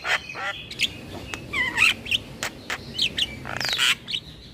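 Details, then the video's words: Javan myna chatter intended to draw in mynas and starlings: scattered rasping squawks, short bent whistles and a longer buzzy burst near the end, with quiet pauses between phrases. "PAncingan Semua Jenis Burung Jalak dengan Ocehan Jalak Kebo"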